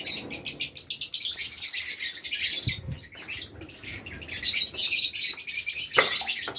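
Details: Constant bright, high-pitched chatter from a group of Fischer's lovebirds kept in Safi, Morocco, overlapping squeaks and tweets with a few soft knocks and flutters underneath.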